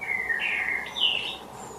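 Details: Resident Eurasian blackbird singing in a garden in Derbyshire: a short, mellow whistled phrase, a low warble dropping slightly before a higher fluty note, with a faint background hiss.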